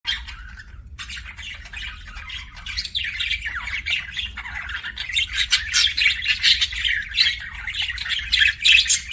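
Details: Pet budgerigar making kissing sounds: dense, rapid chatter of clicks, scratchy squawks and short chirps, quiet at first and growing louder and busier toward the end, with a low hum underneath.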